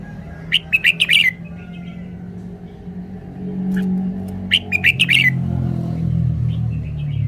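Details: Caged red-whiskered bulbul giving two lively phrases of rapid, bright chirped notes while a low engine-like rumble of passing traffic swells in the background.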